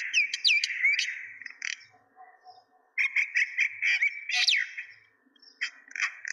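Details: Common myna (shalik) vocalizing: bursts of clear whistled slurs and clipped chirps, then a short pause before more squawky chatter and a sweeping falling whistle.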